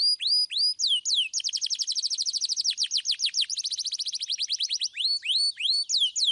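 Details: Singing canary with clear whistles and rolls, meant to prompt young canaries to sing: hooked whistled notes open, then a long rapid ringing trill, before curving whistles return at the end.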